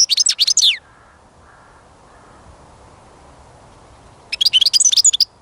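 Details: European goldfinch, recorded while catching songbirds, gives a short run of high tinkling chirps, falls silent for several seconds, then bursts into a dense, rapid, jangling twitter.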